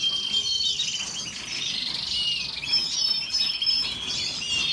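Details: Canary singing a continuous high warbling song of rapid trills and rolling notes, with steady background hiss.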